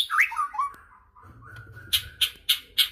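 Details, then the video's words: Short White-rumped shama phrase used to provoke other shamas into singing: a few loud slurred whistles, a soft drawn-out note, then four sharp, evenly spaced high chips. "murai batu gacor AMPUH UNTUK pancingan murai batu agar bunyi langsung bikin emosi bongkar materi"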